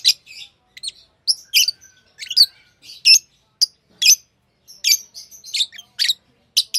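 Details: Lovebirds kept as tame pets chatter in a steady stream of short, sharp, high tweets and squeaks, roughly evenly spaced, each brief and slightly harsh, with a clean, quiet background.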